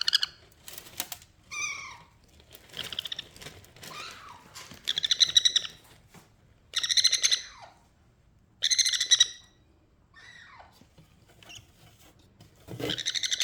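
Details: A hyper baby sun conure that doesn't want to play with a baby rose parrot gives harsh, buzzy squawks in short bursts, with brief wing flutters between.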